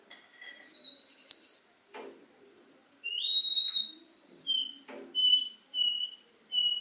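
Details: Canary mimicking the songs of other birds: a rapid run of bright, high whistled notes at shifting pitches, with short sweeps and slurs following one another with barely a pause, loud and clear indoors.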